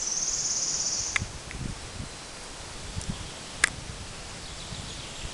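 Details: A singing wood warbler near Waidhofen an der Thaya in the Waldviertel, Austria, gives a high, dry, shivering trill lasting about a second, then falls silent; a few faint clicks and soft rustling follow.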